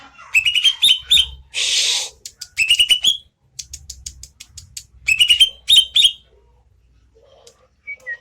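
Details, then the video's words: Greater green leafbird singing energetically: quick bursts of bright, chirpy whistled notes with rising slurs, delivered in clusters separated by short pauses, with a brief loud hissing rush midway and a low faint rumble beneath. "burung cucak ijo gede gacor"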